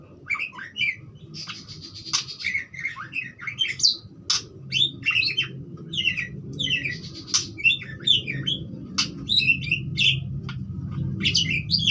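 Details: Budgerigar chattering song, a dense run of twisting chirps, buzzes and sharp clicks lasting the whole stretch, over low room hum.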